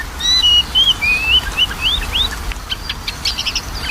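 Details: Oriental magpie-robin song used as a lure to coax a lazy bird into singing: a quick run of clear, slurred whistled notes, some rising, some falling, then fainter scattered chirps and steady background hiss.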